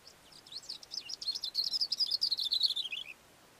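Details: Cape grassbird singing from a rock on a mountain slope: a rapid, jumbled run of high chirping notes that builds in loudness, then ends with a falling note after about two seconds.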